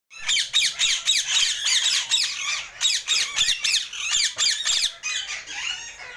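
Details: Pet yellow and green Alexandrine parakeet giving a rapid, harsh run of raspy squawks, about three to four per second, loud and grating with little pause throughout.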